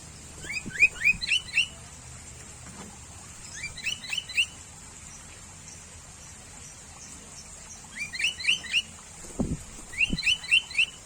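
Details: Sooty-headed bulbul singing in bursts of four to five quick, sharp, rising chirped notes, phrases repeated several times with quiet gaps and faint low background rumble.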